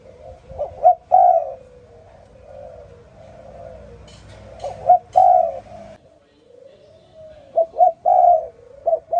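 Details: Morning call of a spotted dove, low soft coos repeated in phrases, each of clipped notes rising into a fuller drawn-out coo, about three phrases with faint clicks between.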